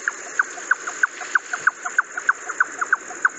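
Jungle Nightjar giving a steady series of short, hollow 'chuk' notes, about three per second, over a continuous high insect hum.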